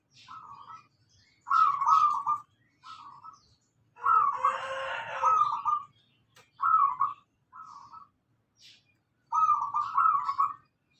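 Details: Active local zebra dove lure song: short bursts of rolling trilled coos repeated at irregular intervals, with one louder, harsher, broader phrase in the middle and brief high ticks between.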